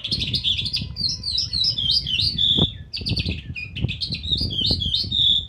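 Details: Calandra lark singing in an outdoor aviary in February 2019: a fast, rambling song of high chirps, trills and whistled notes, with a brief pause mid-phrase and low background rumble.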